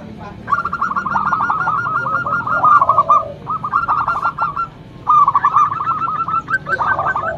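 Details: Loud local zebra dove used as a lure bird, delivering three bursts of fast, evenly repeated cooing notes, each run about a second long and separated by brief pauses, with a low rumble underneath.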